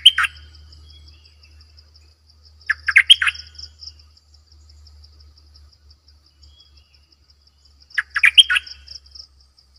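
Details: Caged decoy Cream-vented Bulbul giving brisk gurgling phrases of several rapid notes, two bursts roughly five seconds apart, with a continuous high-pitched insect buzz and a low hum behind.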